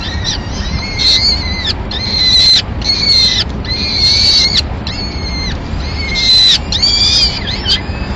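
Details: Peregrine falcon nest in Madrid, 25 April 2016, with the female bringing a pigeon and calmly feeding the chicks: a rapid run of strong, harmonic, slightly arched calls, nearly continuous, with a low hum underneath.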